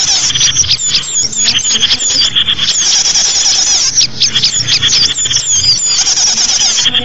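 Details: Lure recording of small birds for trapping: a dense, continuous tangle of high, thin chirps, twitters and squeaky whistled notes overlapping throughout, with a faint low hum beneath.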